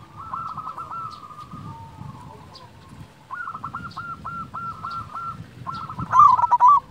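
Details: Local zebra dove, loud and melodious, used as a lure to stir silent, reluctant doves to sing: quick series of short coos near one pitch, each with a slight downward tail, in two bursts, softer coos behind, low rumble beneath.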